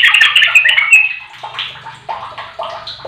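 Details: Sooty-headed bulbul song used as a lure to make a silent bird sing: an opening second of dense, bubbly chattering notes, then separate short liquid phrases rising and falling at irregular intervals, with a low steady hum beneath.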